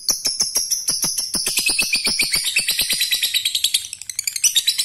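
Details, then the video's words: Male lovebird calling a female, a call said to make all other lovebirds join in the long 'ngekek' chatter; dense rapid trilling chatter, about eight shrill pulses per second, sustained throughout with dry clicking beneath. "Lovebird jantan memanggil betina ampuh membuat semua lb lain ikut bunyi ngekek"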